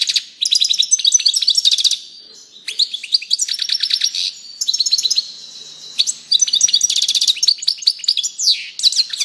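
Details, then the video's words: Continuous European goldfinch singing made of several dense, rapid twittering phrases of high jingling notes with short gaps between them, loud and close. "singing canary chardonneret song saka kuşu sesi"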